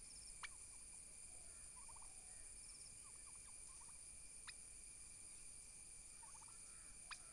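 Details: Domestic turkey toms fight violently for dominance, giving brief rattling gobbles of rapid clustered notes, about five bursts in seven seconds, with sharp knocks and a constant low hum in the background.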